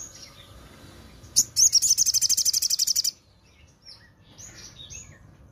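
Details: Crimson sunbird singing in the morning: after quiet faint chirps, a sudden very high, fast trill of about fifteen sharp, evenly spaced notes lasting under two seconds, then faint high twitters.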